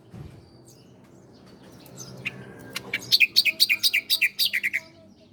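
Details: Bar-winged prinia, called ciblek Koya, in a master recording meant to train cage birds: after a quiet start, a lively run of about a dozen sharp chirps delivered at a steady quick pace.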